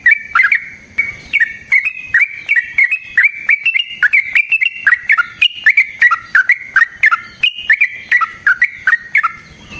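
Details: Clear, continuous ngeroll chatter of a yellow-vented bulbul, a long fighting song used as a lure: bubbly notes rising and falling in an unbroken stream for nearly ten seconds.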